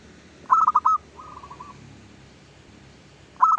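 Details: Lure song of a local zebra dove for attracting others of its kind: a rapid run of soft pulsed coos with a held final note, a fainter echoing phrase, and another phrase starting at the end.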